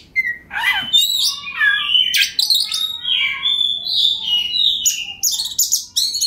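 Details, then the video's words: White-rumped shama, kept caged and singing to spur rival birds, giving a flowing run of liquid whistles, warbles and scratchy rattles that changes pitch every few notes. "KACER NGOTOT PANCINGAN TERBAIK BIAR KACER LAWAN CEPAT GACOR, Kacer Gacor Full Ngobra"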